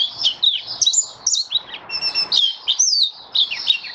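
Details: Caged mata puteh, or white-eye, recorded 23 March 2022 during a diet change for warm humid weather, delivers a varied high warble of twisting whistles, slurred chirps and a few thin sustained notes.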